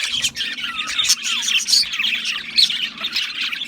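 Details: Budgerigars give sharp, high squawks and short whistled slides over a steady background of chirruping chatter from several birds.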